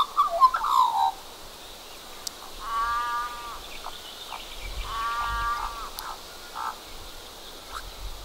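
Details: One of two Australian magpies, holding a cockroach in its bill, gives a short falling run of clear warbled notes, then two unusual harsh, nasal croaks about two seconds apart, over quiet background hiss.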